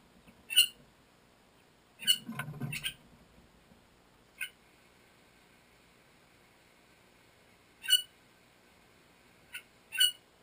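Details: Young Bali starling chick, 25 days old and about to fledge, recorded on 28 June 2014: short, sharp, harsh calls spaced irregularly over ten seconds, once a quick burst of three, with a low rustle and otherwise quiet background.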